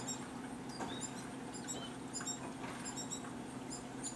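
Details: Male American goldfinch feeding his young fledgling seed at a bird feeder in late summer: thin, very high squeaky chirps in quick scattered bursts over a steady low mechanical hum.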